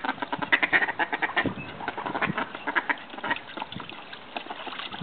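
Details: Australian call ducks, also called bantam mallards, flirting and mating: dense, rapid run of loud, harsh, nasal quacks from several birds overlapping, bursts every fraction of a second with no pauses.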